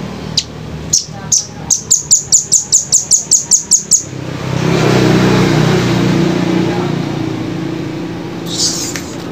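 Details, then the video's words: Velvet-fronted nuthatch: a few spaced high chips build into a fast, regular volley of about a dozen shrill notes. A low rumbling background swells afterward, and a faint scratchy sound comes near the close. "masteran jernih rambatan paruh merah"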